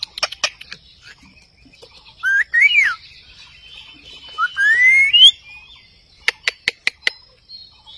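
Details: Indian ringneck parakeet, a pet talking at its mirror reflection, gives sliding, wavering whistles that rise and fall, between scattered sharp clicks and taps.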